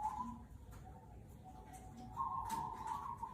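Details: Cemani Kolbuntet zebra dove, a local bird, cooing in a muffled, hissy recording. Low steady coos give way to a louder, rolling phrase near the end.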